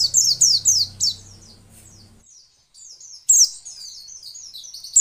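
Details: White-eye female voice to provoke male birds: a quick run of high, falling chirps over a low hum, a short lull, then a fresh burst of shrill twittering.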